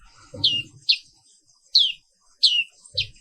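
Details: Black-capped white-eye (Zosterops atricapilla) in the morning giving five loud, high, downslurred chirps spaced irregularly, with low rumbling background noise.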